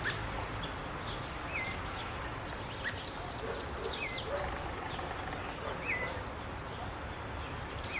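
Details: Creamy-bellied thrush (Turdus amaurochalinus) calling: short, thin call notes every second or two over a dense chorus of high chirping birds and a steady outdoor hiss.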